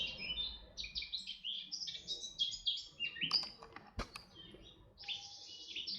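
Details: At Artomaña near Orduña in Bizkaia, Spain, 2025, a red-backed shrike gives a near-continuous run of scratchy, twittering high notes, varied and jumbled, with a sharp click midway and a quieter drawn-out phrase near the end.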